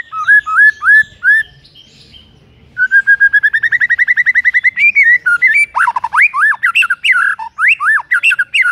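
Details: White-rumped shama song used to provoke a rival shama into singing, heard in the morning: loud whistled phrases, then a fast run of about thirty rising notes, then varied sweeping and rattling notes.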